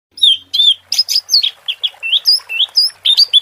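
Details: Orange-headed thrush singing in the 'teler' style: a fast run of clear whistled and slurred notes, many sliding up or down, delivered almost without pause and varying from note to note.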